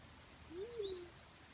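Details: A single low, mournful hoot from a black-chinned fruit dove, rising briefly then gliding downward, with a faint thin whistle from another bird above.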